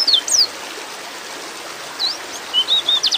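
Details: Female white-eye in breeding condition calling for a male, heard here as a few scattered, sharp, high chirps and down-slurred whistles with silent gaps between them, over soft steady hiss.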